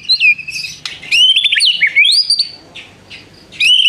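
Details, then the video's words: Actively singing white-rumped shama with prinia mimicry in its song: high whistled phrases and twisting slurred notes, broken by short pauses, then a final rising whistle. "MURAI BATU GACOR ISIAN nembak prenjak tirrr panjang2"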